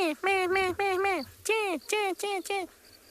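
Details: Rattling Cisticola calling from a nearby low spike-thorn shrub on a South African game reserve, afternoon of 11 February 2021: a quick series of about seven nasal, slightly arched notes, some paired, with crickets chirping in long grass.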